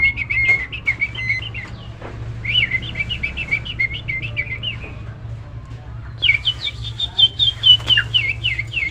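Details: Tame, prolific Nias hill myna singing a full, varied song used as master audio to coax lazy birds into song: rapid bursts of short high chirps and twitters, a pause, then a brighter run of repeated whistled notes, with a steady low hum.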